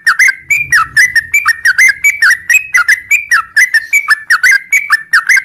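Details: Continuous 'ngropel' song from a sooty-headed bulbul in the morning, a lively stream of chirpy, whistled notes that slur down and back up, repeated without break for the whole stretch.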